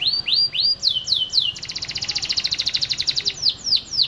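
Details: A canary sings a long master song meant as a lure for young canaries and canaries that have stopped singing: bright, high whistles sweeping up and down, a fast even trill of about twenty notes, then more sweeping whistles.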